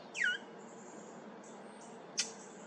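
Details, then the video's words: Brown thrasher making an unfamiliar sound at Maple Grove Cemetery on 8 July 2023: one loud, slurred whistle dropping steeply from high to low, followed by a brief sharp click, over a faint high insect hiss. "Brown Thrasher making unfamiliar sound"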